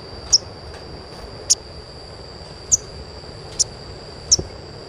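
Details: Sparse sogon chirps, about one a second, each a short piercing high note, from a recording used to train young birds to sing. A steady electronic whine is audible.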